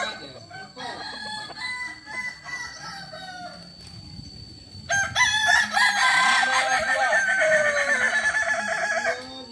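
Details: Kukuak Balenggek chickens at a practice session run like a real crowing contest; fainter crows at first over background noise, then from five seconds a loud, sustained multi-syllable crow with repeated arched notes.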